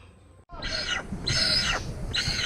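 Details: Little hornbill producing three harsh, broad, grating calls in quick succession, each roughly half a second long, loud and close, with low background rumble.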